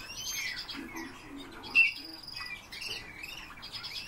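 Eurasian bullfinch giving soft, low, arched piping whistles, with brief higher chirps from other small birds mixed in.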